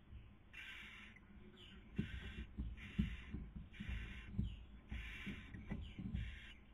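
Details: Wild barn owls filmed by nest camera in Cabañeros National Park, Spain, 2020 breeding season, female feeding and male trying to sleep: six rasping hisses in a rough series, with dull knocks and shuffling thumps from movement in the nest.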